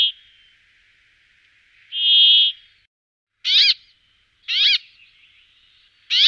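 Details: Brambling uttering one nasal buzzing note, then three short, sharp, chirping calls about a second apart, with a faint buzzy murmur between.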